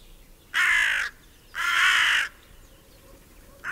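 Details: Hooded crow foraging in a meadow, digging into an acorn while another crow looks on, with a whole group of crows present; two harsh, rasping, drawn-out caws about a second apart, a third just beginning at the end.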